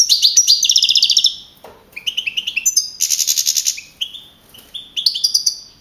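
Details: Contest-winning young European goldfinch from the Madrid region, Spain, 2012, delivering fast liquid twitters and a sustained buzzy rattle, broken by a brief pause, then renewed tinkling notes.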